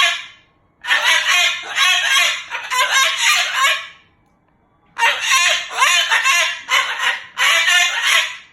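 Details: Loud cursing from an angry pet Moluccan cockatoo, two long runs of rasping shouted syllables split by roughly a second of silence, followed by laughter.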